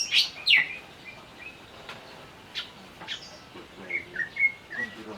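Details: Greater green leafbird singing while agitated after provocation: two loud sharp notes open, followed by scattered clicks and a string of short sweet whistled chirps near the end.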